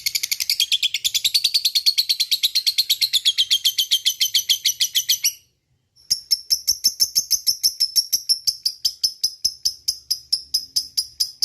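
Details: Lovebird in fighting mood with long ngekek chattering: a dense burst of harsh notes for five seconds, a short pause, then a second higher, thinner run of rapid chatter.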